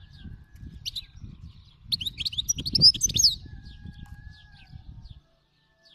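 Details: Wild European goldfinch giving a quick burst of high twittering song, tinkling and buzzy notes tumbling together for about a second and a half, with scattered chips before and after and a low rumble beneath.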